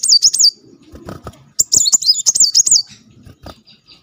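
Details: Kolibri Muncang (brown-throated sunbird) singing "tembakan" roll song while wagging its tail: sharp, very high looping trills in two runs, interspersed with clicking taps and a quiet tail end.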